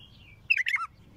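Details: Bulbul delivering a powerful phrase: a soft drawn whistle, then a loud, rich burst of tumbling liquid notes falling in pitch, lasting about half a second, over faint low hum.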